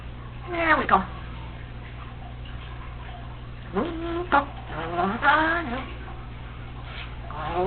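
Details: Female Congo African Grey parrot talking to herself while alone at home, practising phrases she hears; several voice-like syllables with downward-sliding pitch, in short bursts separated by pauses, over a low background hum.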